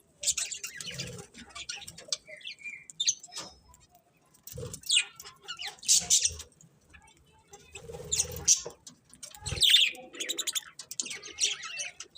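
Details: Colourful budgies chirping in irregular bursts of high, raspy twittering separated by short quiet gaps, with occasional soft low thuds among the chatter.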